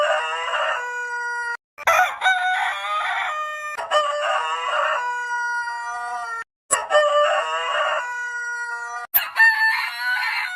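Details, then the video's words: Rooster crowing repeatedly. Four harsh, ringing crows follow back to back, roughly every two and a half seconds, each with a strained start and a long level ending. "Suara Ayam Berkokok Panjang Ayam Jantan Berkokok Rooster Crowing"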